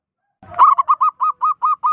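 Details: Local zebra dove with a big voice, calling to provoke other zebra doves: a short rising lead-in, then about eight loud, evenly spaced hooked cooing notes at a steady mid pitch, each sharp-edged and rich in overtones.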